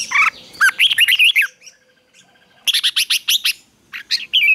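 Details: Red-whiskered bulbul in morning training for fighting song, giving two rapid runs of bright, slurred whistled notes, each phrase about a second long, ending with a short rising-falling whistle.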